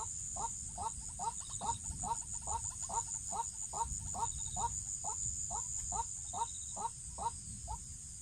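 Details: Waterhen calls from a trapping recording: a quick string of hollow clucks about twice a second over a rumbling low background, with occasional high beeps and a persistent electronic whine.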